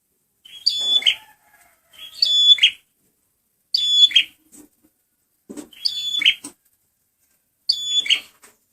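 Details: Male red prinia (prenjak merah) song used as a lure: five loud bursts, each a high stacked whistle followed by a buzzy rattling note, repeated about every two seconds against a quiet background.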